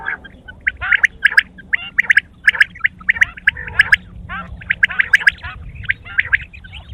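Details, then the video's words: Several quail giving rapid harsh chirps and squawky notes, loud clustered bursts repeated throughout with brief pauses, many birds calling at once. "sound of quail is the perfect clear sound for the morning صبح کے لیے بہترین صاف آواز"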